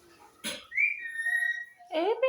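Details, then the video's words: Green talking parrot: a sharp click, then a long steady whistle held for nearly a second, ending in a rough, falling, nasal squawk. Faint music-like tones sound underneath. "Talking Parrot"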